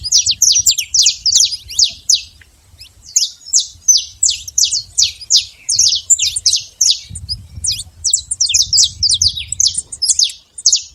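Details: Saffron finch singing free in nature, a long lively series of high, sharp chirps delivered in fast clusters of two or three, faint low rumble beneath.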